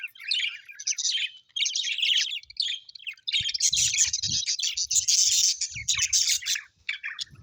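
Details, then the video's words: Happy pet budgerigars, colorful Australian budgies, chirping: dense overlapping warbled chatter and scratchy high twitters in bursts, with brief pauses and faint low thumps. "Happy budgies chirping sound l parakeet's sounds"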